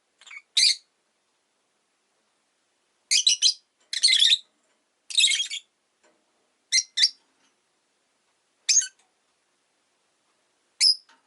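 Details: Caged pet rosy-faced lovebird on a slow afternoon: separate harsh chirps and short raspy clusters scattered over several seconds, with long quiet gaps, ending in a sharp single note.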